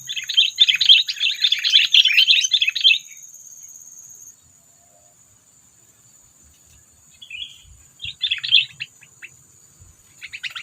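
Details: Sooty-headed bulbul lure call used in bird trapping to provoke predators: a three-second burst of dense, buzzy, bubbly chirps, then near silence and later shorter chattering bursts, over a constant high thin whine.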